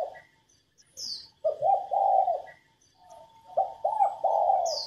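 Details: Female spotted dove cooing to urge newly caught and male doves to coo more. Low, breathy coo notes, a long drawn coo, then a quick triple coo. A faint constant hum and brief high chirps sound in the background.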